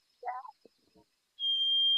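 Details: White-throated Sparrow, a migrant wintering in suburban yards before returning to Canada to breed, tuning up with a single piercing, pure, high whistled note held steady for most of a second, following a brief snatch of human speech.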